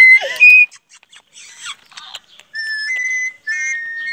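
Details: Pet parrot, said to be very talkative and constantly wanting coffee, gives a harsh squawk, then clear sustained whistled tones in short phrases with brief gaps between them.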